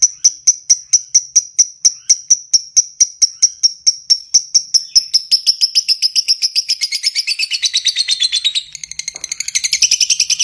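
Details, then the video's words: Long ngekek chatter of a lovebird, meant as a master recording for other birds: clear, evenly spaced high chips that quicken steadily, then blur into a rough, continuous rattling trill. "Masteran suara burung lovebird ngekek panjang"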